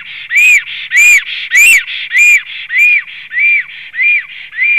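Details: Returning male black stork whistling at the nest, recorded 3 April 2016 in the afternoon: evenly spaced, rise-and-fall whistled notes repeated almost twice a second, the first few strong and bright, later ones softer.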